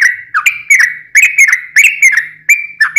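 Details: Sooty-headed bulbul singing a long rolling, combative phrase meant to provoke rivals into replying: continuous chattering run of slurred, downward-bending chirps, each note ringing briefly before the next.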